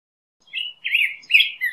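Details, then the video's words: Black-headed grosbeak song: a short burst of three rich, warbled phrases rising and falling in pitch, with brief gaps between them, clean background with no other sounds. "Black-headed Grosbeak Bird Song"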